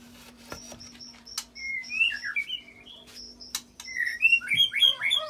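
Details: Provocation song of a white-rumped shama mixing cililin imitations with long canary rolling; a string of short high piping notes and clicks, then twisting whistled slurs growing into a dense, loud warble.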